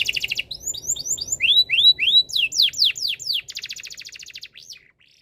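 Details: Canary in breeding condition whose song is meant to make other birds sing: a buzzy trill, then a run of rising arched whistles repeated about three per second, steep slurred notes, a rapid trill, fading to quiet.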